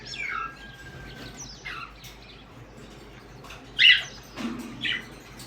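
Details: Parrots calling in the morning: a descending chirp and a faint whistled line at first, then one loud harsh squawk followed by a softer short call.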